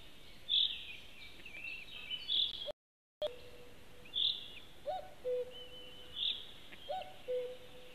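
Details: A common cuckoo near a white-tailed eagle nest in Latvia on 15 May 2018 gives its two-note falling 'cu-coo' about every two seconds, under louder high, sharp chirps from other birds.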